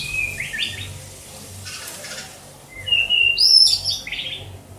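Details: White-rumped shama, Banda Aceh, giving short bursts of song: a quick chattering phrase, a pause, then a clear high whistle followed by a bright warbled flourish, over faint low background hum.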